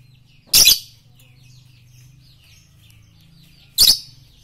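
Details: Masteran training audio for morning, noon and night: a lovebird lets out two harsh, piercing screeches about three seconds apart over a steady low hum.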